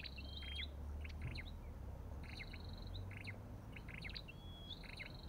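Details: Olive-backed tailorbird: bursts of buzzy stacked chips with an occasional clean rising whistle, in groups about every one and a half seconds, with heavy low-frequency rumble beneath.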